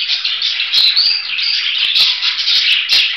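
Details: Budgerigar chattering in a steady, dense warble of scratchy, high chirps, with a few sharp clicks at about 0.8, 2 and 2.9 seconds.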